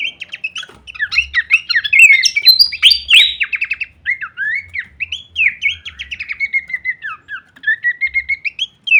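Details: Horsfield's babbler singing a full-variation masteran song: a burst of fast, high chattering notes followed by a long, smooth series of clear slurred whistles, each dropping then rising.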